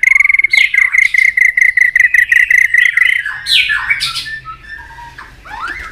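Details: Provoked White-rumped shama: a fast, even train of about twenty sharp clicking notes, then slurred whistles and a rising whistled note.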